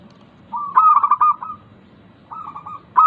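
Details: Local zebra dove singing in captivity, the recording meant to stimulate lazy caged doves. A clipped, fast-pulsed cooing phrase trails off, a pause follows, then a softer rolling coo begins another phrase.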